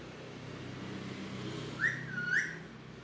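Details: Pet Alexandrine parakeet, a talking desi parrot, gives two short whistled syllables late in the recording, rising then dipping, over a low steady room hum.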